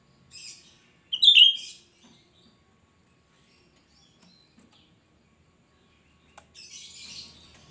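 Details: Lively cucak rante giving its shrill lure song for attracting untamed birds: a soft high chirp, then one loud sharp whistled phrase, followed by quiet gaps and a faint hissing rustle near the end.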